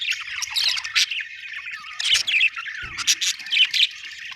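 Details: Budgerigar from Australia chirping and squawking: bursts of harsh, scratchy chatter and high squeaks in uneven clusters, with a brief low knock near the middle.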